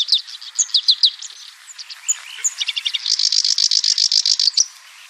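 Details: Black-browed reed warbler song: a few loud sharp chips, a quieter scratchy passage with a brief lower trill, then a steady fast run of high buzzy notes that stops abruptly.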